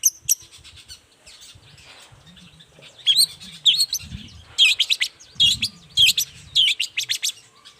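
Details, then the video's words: Long-tailed shrike in morning song used to draw replies from other shrikes: after a quiet start, bursts of harsh, scratchy notes mixed with short bright whistles, roughly every half second, over a low rumble. "Suara cendet gacor Pagi Hari pancingan jitu BIKIN cendet diam langsung nyaut ikutan bunyi"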